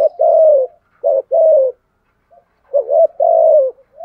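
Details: Lure spotted dove with 'giọng thổ' voice giving 'gù thúc' coos meant to provoke wild birds: paired mellow, drawn-out coos, a pause of silence, then another pair of warm falling coos.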